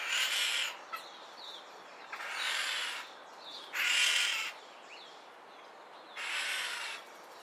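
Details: Two red-winged starlings (Onychognathus morio) in a minor disagreement trade four harsh, hissing rasps, each about a second long and spaced two to three seconds apart, with faint thin notes between.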